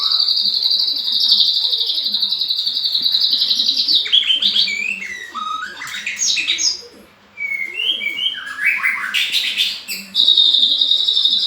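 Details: White-rumped shama in vigorous song: long sustained high buzzy tones alternating with sweeping downward slurs and bursts of rapid varied notes, loud and close.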